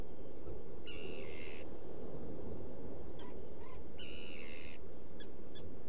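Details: Nesting black guillemot in a rock burrow on Seal Island, Maine, mid-June near dawn; two drawn-out buzzy calls with a steady pitch, three seconds apart, separated by short ticks, over heavy low-pitched wind or surf noise.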